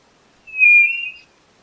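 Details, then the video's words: White-bellied nothura whistling one sustained, even-pitched note of about three quarters of a second in near silence. "Canto da Codorna do Nordeste Nothura Boraquira"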